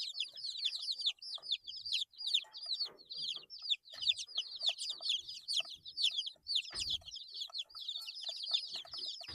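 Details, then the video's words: Eight-day-old baby chicks chirping: a dense flock chorus of high, descending peeps repeated rapidly and overlapping, with occasional faint low thumps. "Chicks Chirping Sounds - Baby Chicken Sounds"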